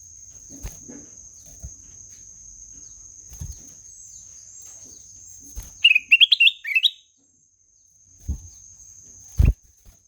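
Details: Black-naped oriole giving one brief warbled phrase of rising, slurred notes that lasts about a second. The phrase comes after several seconds of low thumps and handling knocks, and another knock follows it.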